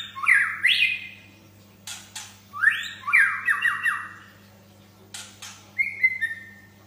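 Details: White-rumped shama in full song: rich whistled phrases that rise and fall in quick stepped slurs, separated by short pauses and sharp ticking notes, with a faint constant hum behind.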